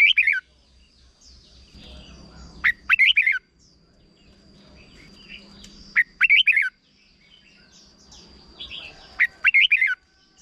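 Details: Red-whiskered bulbul from Thailand singing a short 'bern' (doubled) song, used to teach young birds. Three bright, warbled phrases of four or five quick rising and falling notes, about three seconds apart, over a steady faint high whine.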